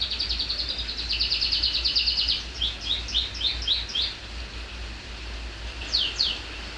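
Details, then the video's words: Shrill song of a canary whose neck feathers are still bald: a fast buzzy trill for two seconds, then a series of quick downswept whistled notes, a pause, and two final sharp sweeps, over a low background hum. "Kenari suara melengking"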